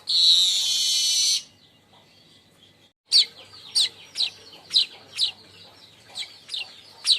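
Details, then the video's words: Baya weaver crecetan call, used as lure and tutor for other birds: a buzzy hissing wheeze over a second long, a pause, then a string of separate sharp high chirps. "Crecetan burung Manyar"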